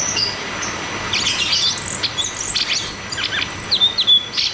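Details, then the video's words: Caged cucak cungkok song used as therapy for birds that will not sing: bursts of scratchy chatter mixed with sharp high whistles, the notes growing louder near the end. "Therapy dan Pancingan Burung Macet Bunyi || Cucak cungkok Ngeroll tembak"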